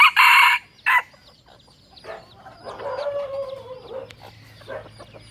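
Two loud, harsh squawks open, then a rooster's drawn-out crow carries in the background, a hoarse note held about a second before falling away.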